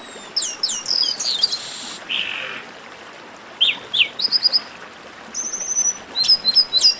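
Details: Group chatter of chestnut-capped blackbirds, used to stir singing birds into song. A busy opening of slurred whistles and a buzz, a lull, then staccato repeated notes and high whistled phrases.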